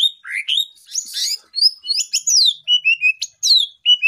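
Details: Champion greater green leafbird in a full-isian masteran recording: an irregular medley of rising whistles, buzzy squeaks and sharp sweeping notes, followed by short, level whistled tones.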